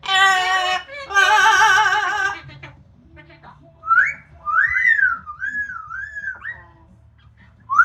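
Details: Pet Amazon parrot outside after a shower, noisy while drying off in the sun: two loud, rich, talking-like squawks, then a wavering whistled phrase sliding up and down, ending on a rising whistle.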